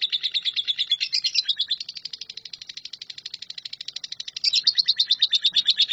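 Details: Lovebird in the long continuous 'nyambung kuntilanak' song style, used as tutor song for shrikes: rapid high chirps repeated about three per second without a break, with a louder, denser burst in the last second and a half.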